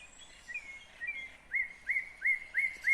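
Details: Nightingale in song, Kyrgyzstan, 2020: soft rising whistles lead into a run of five loud, evenly spaced hooked notes, repeated about every third of a second.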